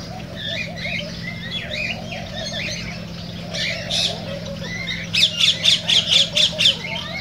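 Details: Cockatiel song played to encourage singing and breeding: mixed warbled whistles and chirps from several birds, ending in a run of about eight rapid, evenly spaced squawky notes, over constant low hum.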